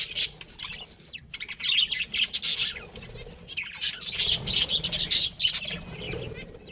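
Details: Budgies chatter in loud, grating bursts of rapid chirps and squawks, separated by short silences, with some faint low rustling.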